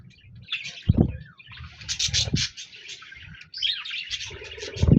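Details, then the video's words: Budgerigar flock recorded 26 January 2024, rising and falling streams of high chirps and squeaky twitters, punctuated by several sharp low knocks, the last one loud at the close. "Budgies Birds Singing Chirping Sounds Parakeets sounds"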